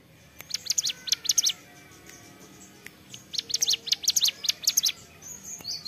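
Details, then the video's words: Ciblek gunung, a prinia, in energetic 'gacor' song of the 'ceplekan' style: two bursts of rapid high, ticking chirps separated by a quiet pause, with faint clicks in the background. "CIBLEK GUNUNG GACOR CEPLEKAN"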